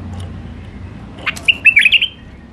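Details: Wild Iraqi white-eared bulbul singing the Alwazi style: a sharp note, then a warbling run of five or six short, fluty notes bending up and down over about half a second, low background hum beneath.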